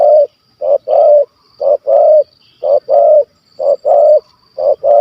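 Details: Stammering spotted dove with a big voice, kuk 1 2 style, the target of a bird hunt in Malaysia. Low, rounded coos come in pairs of a brief note and a longer one, steadily about once per second.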